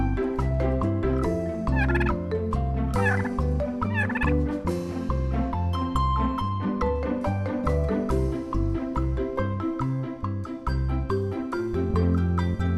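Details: A farm turkey gobbles in several short, rapid, rattling bursts spread over about twelve seconds. Cheerful children's music with marimba and glockenspiel plays loudly over the whole recording.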